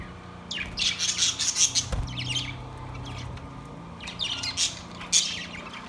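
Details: Caged budgerigars singing, recorded September 2, 2023: rapid, scratchy warbled chatter in two bursts, harsh squeaky notes tumbling quickly, with a constant low electrical hum underneath.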